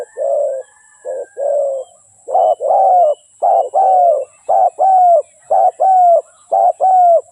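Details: Rhythmic low coos of a spotted dove kept as a lure bird for trapping: seven short-long pairs of mellow, hollow notes, speeding up and growing more regular toward the end.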